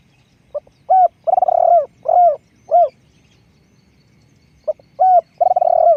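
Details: A spotted dove decoy bird calls two cooing phrases. Each begins with a tiny note, swells into a long vibrating trill and ends in two or three smooth descending coos, with quiet gaps in between.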